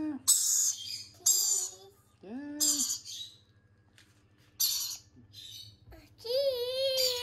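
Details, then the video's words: Growing baby lorikeets being hand-fed give harsh, screechy bursts of squawks in short repeated runs, with a steady low hum and a person's voice in between. "Growing lorikeet Babies Hand feeding"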